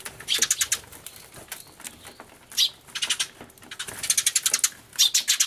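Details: Sparrow commotion recorded 24 March 2013 with an Everio, a turtledove keeping company: irregular volleys of shrill, high chirps, building into a dense, rapid burst toward the end.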